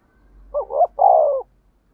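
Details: One spotted dove decoy phrase in the urgent 'thúc gù' manner, 'thổ đồng' voice: a short stuttering two-part note, a brief gap, then a sustained rough coo lasting about half a second.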